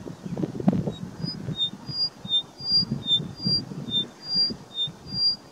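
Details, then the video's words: Upland pipit at Vinayak Point, Pangot, Nainital, India, singing a steady run of thin, high, clipped notes, about two or three a second, over a low wind rumble. "Upland Pipit singing"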